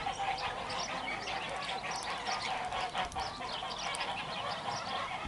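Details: Geese calling in Lök village, Yozgat, Turkey: a dense, unbroken chorus of overlapping nasal honks and cackles from many birds, with no clear pauses.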